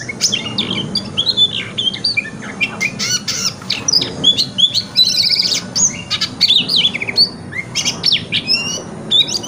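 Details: White-rumped shama, wikplong-style song played in the morning to spur a shama to open its tail: dense, continuous stream of varied whistles, chirps and buzzy sweeps, loud and restless throughout.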